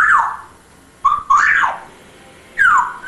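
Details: A pet African grey parrot, hatched in January 2000, gives three clear whistled imitations in a quiet room: a falling whistle, a short note with a rising-then-falling swoop, and another descending whistle.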